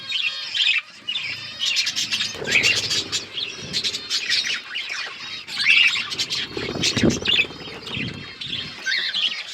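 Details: Breeding budgerigars with growing chicks, many birds chattering together in a steady chorus of sharp chirps and squawks, with occasional wing flutters and thuds.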